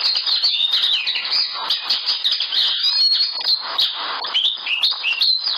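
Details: Common linnet singing a fast, continuous twittering song of high chirps, short trills and brief sliding whistled notes, delivered without pause over several seconds.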